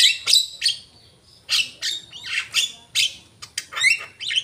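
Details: Asian pied starling in full song: loud, harsh squawking bursts alternating with short whistled slurs, about two notes a second, with brief pauses between.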